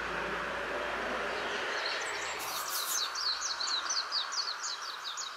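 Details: Japanese white-eye singing after sunset from a standing tree near a house; steady background noise at first, then from about three seconds a fast run of high, thin, twittering notes tumbling in quick succession.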